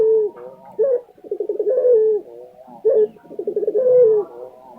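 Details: Lutino Barbary dove from Indonesia giving two full coos: a short rising note, then a soft rattling roll that glides into a level, slightly falling tone.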